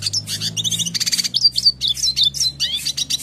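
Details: Red siskin song meant to tutor caged birds: dense, rapid high chatter of buzzy notes and short twisting whistles, pouring out steadily above a low droning hum.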